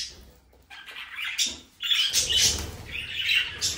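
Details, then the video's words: Budgerigar calls in loud harsh bursts: scratchy squawks and rasping chatter that come in waves after a brief quiet opening. "Sonidos de periquitos Australianos"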